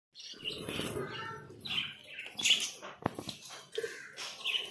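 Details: Budgerigars at bath time chatter with bright, scratchy chirps and warbles, mixed with splashing and rustling noise.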